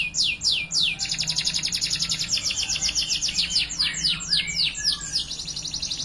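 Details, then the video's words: Timbrado Español canary singing a training song: a few separate downslurred whistles open into a fast metallic trill, followed by a series of sweeping descending notes and another rapid high rattle. "Timbrado Español Original - Meet Mr Whity ! - Canary Training Song"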